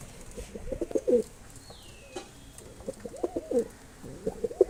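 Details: Mosaldom pigeon giving three low pulsed coo phrases, each a stuttering series rising to a short swell; a faint thin descending whistle passes between the first two.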